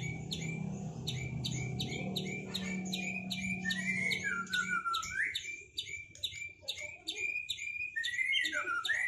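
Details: Duelling caged white-rumped shama after moulting: a rapid series of sharp clicking chips about twice a second, then swooping whistled phrases, over a low hum.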